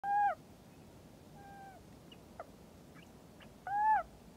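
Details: Little owl giving loud, mewing, slightly descending calls, one at the start and another near the end, with fainter short calls in between against low background hiss.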